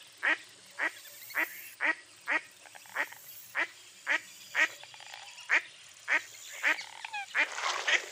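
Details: Mottled duck calling in a quick series of coarse quacks, close to two each second, with a burst of mixed noisier sounds toward the end.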